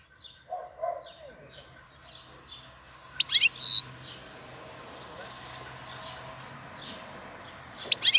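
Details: Bird singing in April: soft high chirps repeat through a steady background hum, then a loud burst of sharp clicks and a falling whistled note around the middle, with another burst at the end.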